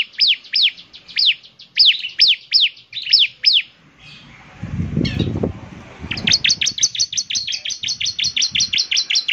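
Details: Bar-winged prinia in active song: a run of sharp high slurred chirps, a pause with a low rumbling noise, then a second, faster and tighter train of repeated high notes.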